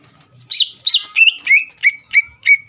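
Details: Greater green leafbird song for provoking a rival, a short sequence of loud whistled notes, the first high and looping, the rest dropping lower and evenly spaced.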